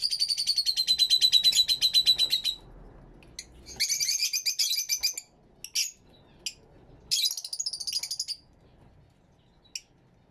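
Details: Aviary Fischer's lovebirds calling in loud bursts of fast, shrill, repeated chirps several seconds long, then falling back to scattered single squeaky notes and brief quiet.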